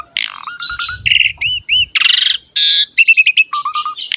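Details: Asian pied starling, very vocal, singing as a master recording for young or reluctant birds: looping whistles, low trilled notes, buzzy rattling blocks and sharp high chirps in rapid succession.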